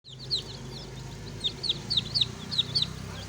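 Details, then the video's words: Baby chicks peeping: high thin chirps, often in quick downward-sliding pairs, scattered over a steady low hum. "baby chicks chirping sound"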